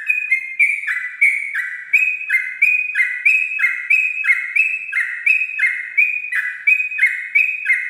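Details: Dawn ropel song of a sooty-headed bulbul, used as a master track for learner birds: a steady run of bright two-note whistles, high then dropping lower, repeated about every half second throughout.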